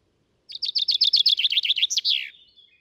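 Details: Common chaffinch singing, the UK's most common finch, recorded with a stereo parabolic setup: a loud, rapid descending trill of about a dozen bright notes, speeding into a flourish that ends in a falling slur, clean background.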